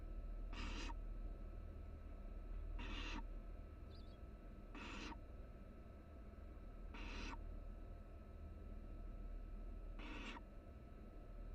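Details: Three barn owl nestlings resting together in a nest box on a live camera at the University of Florida, giving harsh, broadband hissing bursts about every two seconds, five in all, over a steady low hum.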